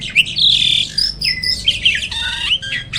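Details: Black-winged starling, noted as seldom found in the wild, producing a dense stream of grating squawks, slurred whistles and jumbled chatter with hardly a break.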